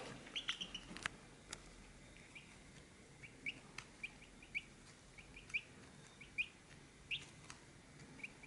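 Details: Chicks at a feed dish make soft, high, short peeps, spaced irregularly through the recording. Sharp clicks and taps are mixed in, with the loudest click about one second in, over a faint steady hiss.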